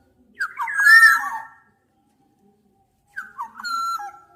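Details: Two separate phrases from a Black-naped oriole: a rich, slurred fluty whistle, then after a silent gap a shorter phrase ending in a level, nasal-toned note.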